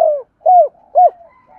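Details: Spotted dove giving lure coos meant to attract other doves: three short, soft, slightly falling hoots in quick succession, followed by a quiet, thin trailing tone.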